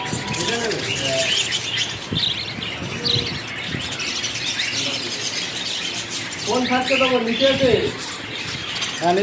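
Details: Budgerigars chatter in busy, warbling chirps, with cockatiels and a person speaking nearby.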